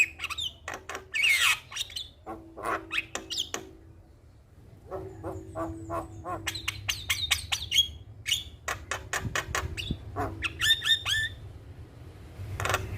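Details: Javan myna singing in lively bouts used as a lure for a stressed bird: clusters of clicking rattles and harsh notes with clear whistled phrases, separated by short pauses, a low hum underneath.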